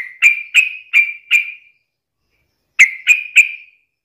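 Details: Sooty-headed bulbul in lively song, used daily to stimulate other bulbuls: four clear, ringing whistled notes spaced roughly every third of a second, silence, then three more in the same rhythm.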